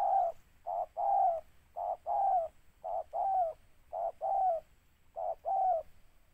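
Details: Spotted dove targeted by bird trappers, delivering a steady series of short-then-long coos, six paired phrases roughly one second apart, the longer note hoarse and slightly falling, over quiet surroundings.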